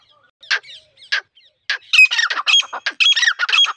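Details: Wild female grey francolin call used to lure birds for trapping: three spaced harsh notes, then a quick tumbling series of squeaky, rasping syllables repeated almost without break.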